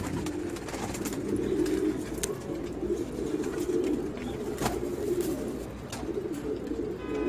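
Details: Racing pigeons among children, several birds cooing together in a dense, pulsing low murmur, with occasional sharp clicks and taps.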